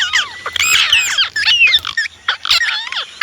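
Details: Indian ringneck parrot, a pet, babbling continuously with twisting, swooping notes and harsh squawks packed closely together, briefly pausing before another scratchy burst.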